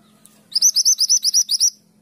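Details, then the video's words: Mantenan gunung in energetic 'gacor' song, firing off a 'tulit tulit' phrase, used as a master recording for training songbirds: a rapid burst of about nine bright, high, identical chirps over one and a quarter seconds against a quiet background. "Mantenan gunung gacor nembak tulit tulit"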